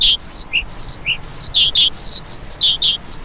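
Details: Bright, high whistles and chirps from a lark, many sweeping downward, repeated roughly twice a second in a lively, slightly irregular rhythm.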